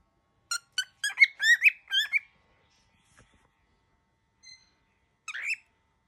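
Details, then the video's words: Angry baby cockatiel uttering a quick string of sharp, wavering squawks, then falling silent before a final short raspy note. "Baby bird -very angry cockatiel"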